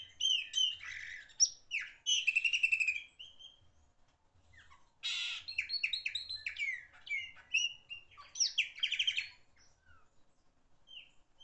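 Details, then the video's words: Common Blackbird singing loudly, a varied run of bright, warbled and twittering phrases broken by short pauses, with a faint low rumble beneath. "Black bird song, beautiful bird song"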